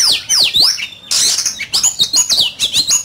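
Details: Kept oriental magpie-robin singing in a competition: clear high whistles sliding down in arcs, a brief harsh noisy burst, then a quick run of repeated rising-and-falling whistled notes.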